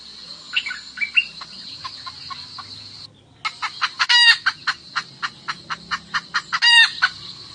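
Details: Decoy hen summoning the rooster in the highlands: scattered clucks, a short pause, then a regular run of clucks about four per second with two loud raspy squawks, all over a continuous shrill insect drone.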